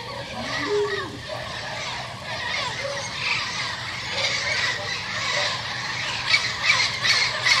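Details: Turquoise-fronted amazons, a yearly visiting group led by a pair that arrives first in a garden and calls the others; harsh squawking and squealing calls overlap continuously, with some lower voice-like sounds early on.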